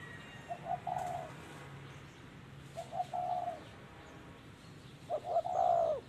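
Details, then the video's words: Spotted dove in 'thổ' voice style during decoy trapping: three fairly faint low hollow cooing phrases spread across the clip, the last one louder, over a steady low background hum. "Bẫy Chim Cu Gáy Đất Hay | Gáy Giọng Thổ Cực Hay"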